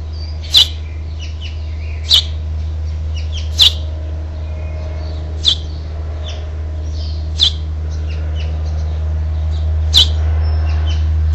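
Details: House finch parents coaxing the last fledgling from the nest, 12 June 2007: clipped high chirps repeated roughly every 1.5 to 2 seconds, seven in all, with quieter twittering notes between and a low steady hum.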